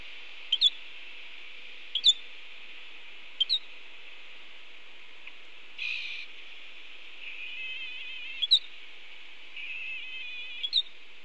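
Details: Bold starlings beside a red-tailed hawk nest at Cornell, 7:54 in the morning, in rain; sharp paired clicks about every one and a half seconds, interspersed with buzzy rasps and wavering whistled notes.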